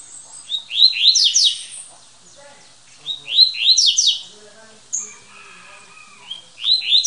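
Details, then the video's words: A captive double-collared seedeater, champion of a municipal tournament with 22 songs in one minute, recorded at its breeder's house, sings three quick bursts of bright, sweeping high notes, about a second each, with faint softer chirps between. "Coleiro Campeão! 22 cantos por minuto"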